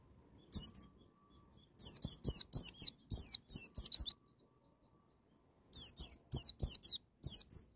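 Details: White-eye performing "ngalas nembak" wild-style song to encourage a young bird to sing: two rapid phrases of high, zigzagging, descending whistles, each quickly repeated, with a silent pause between them.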